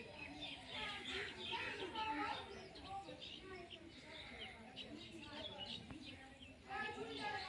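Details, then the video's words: Green Indian ringneck parakeet talking: continuous speech-like chatter of voiced, harmonic syllables, broken up by sharper, higher chirps and squeaks scattered throughout, with no clear pauses. "Beautiful Indian Ringneck Talking Green Parrot"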